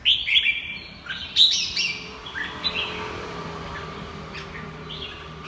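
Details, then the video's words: Red-whiskered bulbul ('mơ hai mí lửa' type) giving 'ché' style song: a few loud, clear whistled phrases in the first three seconds, then fading to quieter notes over low background noise. "Chào mào mơ hai mí lửa hót ché cực hay"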